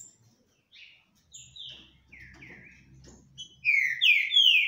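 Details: Two green-winged saltators sing face to face without fighting, trading rich whistled phrases of slurred notes that grow louder and more overlapping toward the end, with faint low background noise.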